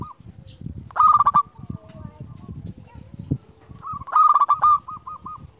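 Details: Local zebra dove used to lure and call rival doves: two loud trilled coo phrases three seconds apart, the second trailing into a string of soft repeated pulsed notes, over steady low background rumble.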